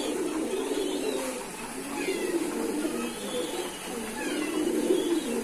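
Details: Several pet pigeons coo in a dense, continuous low murmur of overlapping rolling coos, swelling slightly near the end, with occasional faint thin higher notes over the flock.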